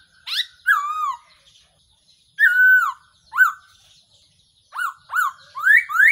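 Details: Decoy call of a Black-throated laughingthrush, used to lure birds for trapping: slurred falling whistles and short upswept notes, ending in a run of quick rising whistles.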